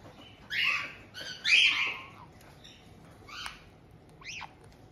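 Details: White-bellied caiques kept in Tokachi, Hokkaido, June 2023, as an established pair welcomes a young newcomer: a few rough squawks in the first two seconds, then faint, thin rising calls.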